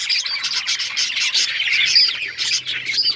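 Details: Pet budgerigars keep up rapid, high-pitched twittering, short chirps tumbling over one another, with a brief clear whistled note near the middle.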